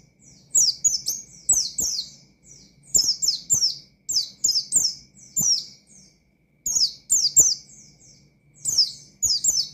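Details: Oriental white-eye (pleci) in gacor ngalas style, shooting out calls to a rival to stir up other white-eyes: bursts of high, thin, downslurred chirps in rapid runs, broken by short pauses, with faint clicks beneath.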